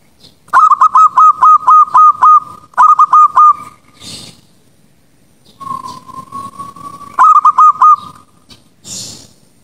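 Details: Zebra dove, a young untrained bird being trained, at night: bursts of loud, rapidly repeated cooing notes, about nine in quick succession, then a short run, a drawn-out steady coo, and more quick notes, with brief rustling noises in between.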